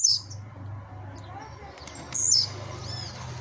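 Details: Home-kept blue-black grassquit coming out of moult gives a brief, buzzy, very high song burst a little after two seconds, after a few faint high notes, against a constant low electrical hum.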